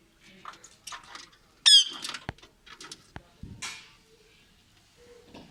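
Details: Pet Indian ringneck parakeet giving short, harsh, squeaky calls and chattering bursts, with one loud rising screech near the middle, separated by sharp clicks and taps in an otherwise quiet setting.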